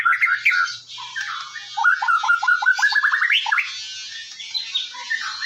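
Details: Morning song of a white-rumped shama used as a singing prompt: clear whistled notes leading into an accelerating, rising series of short repeated notes, then softer warbled phrases, with a faint hiss behind.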